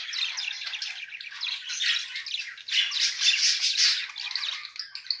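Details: Mated budgerigar pair chattering nonstop, rapid scratchy notes rising into a louder run of harsh squeaky chirps midway.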